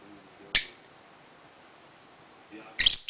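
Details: A sea-green pied peach-faced lovebird gives two shrill, sharp screeches about two seconds apart, the second harsher and longer, in an otherwise quiet room.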